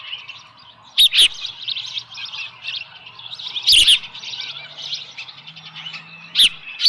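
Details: At the nest with a small live fish, early morning of 13 July 2018, an osprey keeps up a high chirping chatter, with three loud knocking bursts spaced across the recording.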